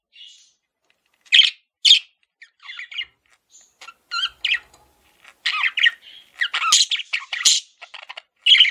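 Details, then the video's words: Male budgerigar kept as a pet, giving scattered bursts of harsh squawks and chirps with short pauses, busier and more continuous toward the end. "MALE PARAKEET SOUNDS"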